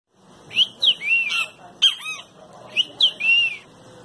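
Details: A great kiskadee flying free inside an office gives its loud, shrill three-part phrase, two quick sharp notes then a longer slurred one, repeated several times over a low indoor hum.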